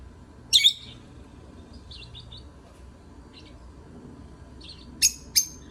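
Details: Lovebirds singing: one loud harsh chirp early, scattered soft high twitters in the middle, then two sharp piercing shrieks near the end, with quiet low hum behind.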